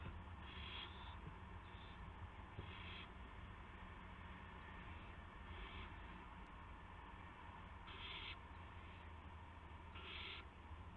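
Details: Owl bringing a gopher, evening of March 18, 2016, 8:00 PM; repeated raspy hissing screeches, several short bursts, some in quick pairs, separated by quiet gaps, with a constant low background rumble.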